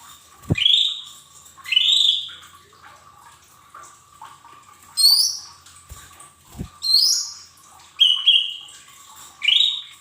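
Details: Lesser green leafbird song used to prompt untrained cage birds to sing quickly: spaced, slurred whistles, some rising and some falling, every one to two seconds, with a few sharp clicks and knocks between phrases.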